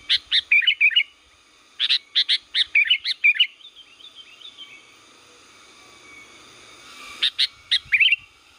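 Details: Sooty-headed bulbul from Liwa, a lure call for forest or home use: bursts of short chirpy notes with brief liquid warbles, separated by a few seconds of quiet with a faint hiss and thin high whine.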